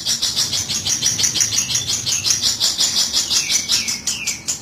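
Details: Long-tailed shrike lure recording for trapping: a steady, rapid series of harsh, scratchy notes that ends in a few falling, slurred whistles.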